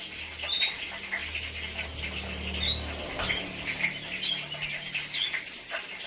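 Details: 'Isian' song of a brown-throated sunbird: short very high trills and squeaks repeated every second or so, with a low steady hum underneath and other faint bird twitters.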